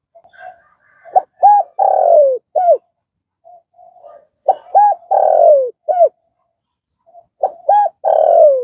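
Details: Spotted dove call for training a freshly caught dove to coo. Three matching low phrases repeat roughly every 3.5 seconds, each built of quiet lead notes, two clipped coos, a long sliding-down coo and a short last coo.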